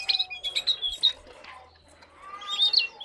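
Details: Brief snatch of lesser shortwing song: a few sharp, high, tinkling notes in quick succession, a short lull, then more thin high chirps.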